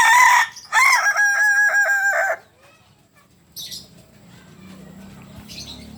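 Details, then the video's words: Kokok Balenggek rooster, a native breed from Solok, West Sumatra, crowing loudly: a short harmonic opening note, then a long stepped series of rapid syllables lasting about one and a half seconds, followed by a quiet stretch with faint distant chirps. "Ayam kukuak Balenggek... Asli solok Sumbar"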